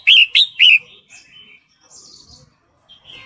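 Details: Female red-whiskered bulbul, breeding condition, calling for a male: three loud, rich chirps in a quick row, followed by soft, thin trailing notes and quiet gaps.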